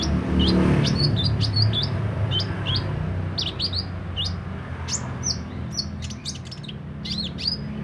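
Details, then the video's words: Sunbird singing thin, high, sharp chips and short twittering phrases in scattered bursts over a constant low rumble of background noise. "Burung kolibri ninja mental baja buka paruh gacor dor"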